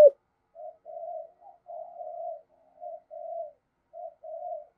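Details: Spotted dove kept as a decoy bird with a 'giọng thổ' voice style, used to rouse wild doves into cooing: soft, low hollow coos in short bursts, broken by brief pauses, in a quiet setting.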